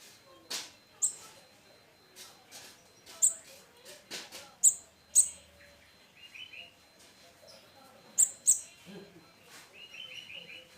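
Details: Olive-backed sunbird chick, hand-raised and roughly three weeks old, independent and taking condensed milk and ant larvae. Piercing high single chips come in irregular bursts, some doubled, over quieter mid-pitched twitters and scattered tapping clicks.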